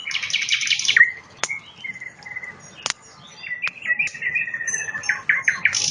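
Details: Nightingale singing on a riverbank beside a campfire: a buzzy, rapid rattle opens, then clear sustained whistles and repeated piping notes, with sharp crackles and pops from the burning fire throughout.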